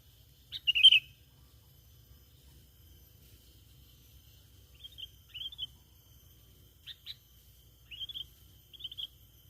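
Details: Sooty-headed bulbul lure call opening with one loud bubbling chirp, followed by softer, distant-sounding short twittered notes scattered over the remaining seconds, with a faint steady high tone and low rumble behind.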